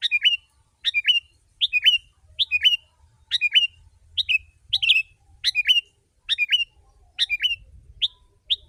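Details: Noisy, busy sooty-headed bulbul singing to lure wild birds, repeating a two-part phrase of a sharp chirp followed by a dropping whistle, roughly once a second.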